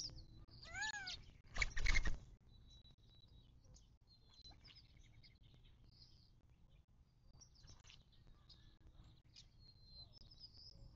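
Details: Birds at a Mojave Desert watering hole in southern California near Joshua Tree National Park; an early series of stacked, bending calls, a burst of loud broadband noise, then faint, thin, high chirps.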